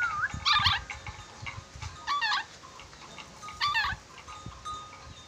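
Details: Red-breasted parakeet from Sulawesi, noted for whistling skill, utters three rasping, chattering bursts about one and a half seconds apart, with a brief whistled note at the start and low rumbling background noise.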